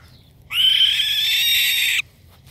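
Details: Barn owl crying for help after a hawk attacked it in the morning and struck it down from a palm tree; a single harsh, hissing, broadband screech held steady for about one and a half seconds, then silence.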